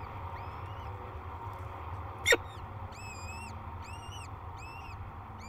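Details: Hatching day at a peregrine falcon cliff nest near La Crescent, Minnesota, above the Mississippi. After one loud crack, a run of clear arched peeps repeats about twice a second over low hum.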